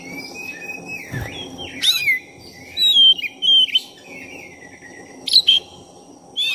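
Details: Song of a black-breasted oriental magpie-robin, played to excite other magpie-robins: drawn-out whistles that rise and fall, mixed with sudden harsh, buzzy bursts and brief pauses. A constant low hum sits underneath.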